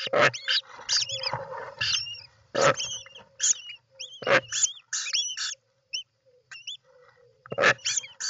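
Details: Recorded at a European roller nest on 29 June 2024: loud rasping screeches recur every second or so, mixed with downward-arched whistled notes in pairs and short chatter, ending with another harsh burst.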